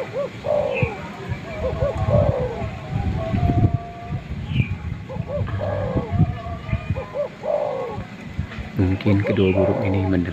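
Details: Male spotted dove calling to a female, recorded as a lure for wild birds: soft arched coos repeated in short bursts, higher bird chirps between them, and a harsh, layered sound near the end.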